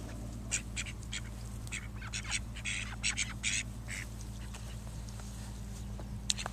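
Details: Call duck drake guarding his female against a rival drake; harsh, clipped quacks in irregular clusters with short pauses, a constant low mechanical hum underneath.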